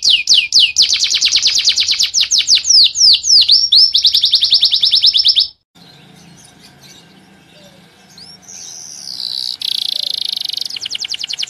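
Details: Male canary singing to teach young birds: a fast high trill of repeated notes for about five seconds, a pause with faint background hum, then a sustained buzzy whistle and renewed rapid trill.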